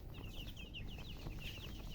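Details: Colored chicken chirping: quick, high, sharply falling peeps repeated several times a second in an even stream, with a constant low hum of background noise underneath.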